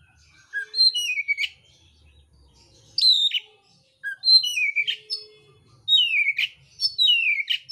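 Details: Oriental magpie-robin, mintal variety, in contest song with rough fillers: four bright whistled phrases, each gliding down in pitch and ending in a sharp flick, separated by brief pauses.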